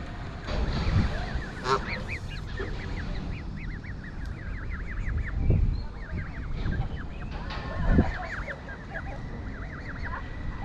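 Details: Goslings among a few geese in York Castle car park, England, while the castle is shut: rapid series of short, thin, arched peeps, many overlapping voices calling in bursts throughout, over a steady low rumble of wind or traffic.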